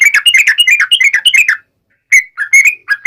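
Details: Yellow-vented bulbul, gacor 'ngalas tajam' song meant to provoke answering birds: a fast warbled chatter for about a second and a half, a pause, then a few separate rising whistled notes.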